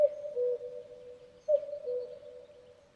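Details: A Common cuckoo (Cuculus canorus) gives its soft two-note "cu-coo", the second note lower, repeated about every one and a half seconds against a quiet background hiss.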